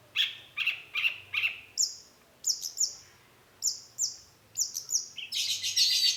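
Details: Long-tailed shrike in energetic lure song meant to trigger answering birds: paired mid-high chirps, then very high thin whistled notes in pairs, closing with a dense, scratchy burst of rapid high notes.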